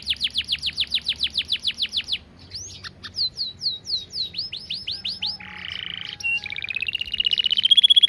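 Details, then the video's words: Canary in full, long, clear 'gacor speed rapat' song, a fast, tightly packed style used as a master training recording: rapid runs of high downslurred notes, a buzzy low trill, then a rising rolling trill, all crisp and loud. "Masteran Kenari Gacor Speed Rapat‼️Durasi panjang dan jernih"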